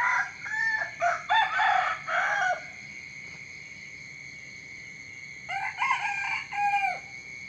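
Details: Two crows from a rooster at dawn, each a series of loud, harmonic, slightly falling syllables about two seconds long, separated by a quiet gap filled with a steady high insect drone.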